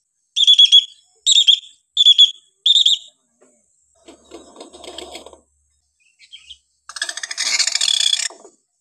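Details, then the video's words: Hill myna tutor sounds for training silent or young mynas: four loud ringing whistled notes evenly spaced about a second apart, a soft scratchy passage, then a long harsh grating screech. "variasi suara burung beo cocok buat masteran beo bahan"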